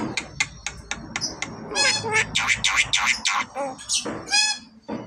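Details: Javan myna imitating human speech: a jumble of harsh, voice-like syllables and whistled fragments, run together in uneven phrases over about five seconds, with a few sharp clicks at the start.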